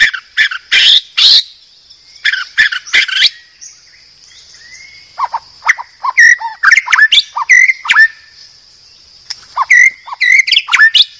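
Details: Murai batu (white-rumped shama) of the Medan type, a master recording for cage-bird training: loud buzzy bursts, a pause with a faint whistle, then a lively mix of clear whistled slurs and scratchy chatter, over a steady high ringing tone.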